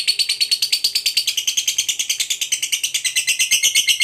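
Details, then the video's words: Lovebird, described as a fighter bird, giving a long ngekek trill meant to provoke a rival: a rapid, unbroken chattering of high notes, about eight per second, held for the whole four seconds. "Pancingan Suara Burung Lovebird Fighter Ngekek Pancing EMOSI LAWAN"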